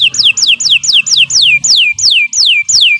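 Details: Canary singing a tutor song for training, with a regular phrase of sharp downward-sweeping whistled notes, roughly three per second, loud and clear over faint low background sound.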